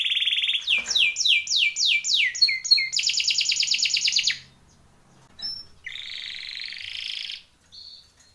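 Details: A Timbrado canary sings a training song: quick downslurred whistles repeated in a rapid series, then a dense buzzy trill, a short pause and a softer rolling trill.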